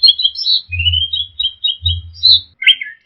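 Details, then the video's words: Training song of the orange-headed thrush for caged birds: a long run of slurred whistles drifting downward and back up, ending in a harsh chattering note, over an intermittent low hum. "TERAPI SUARA BURUNG ANIS MERAH DIJAMIN NYAUT DAN GACOR"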